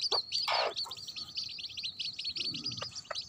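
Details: Baby chicks beside their mother hen: continuous shrill peeping in fast runs over a few deep, soft clucks and a low background rumble.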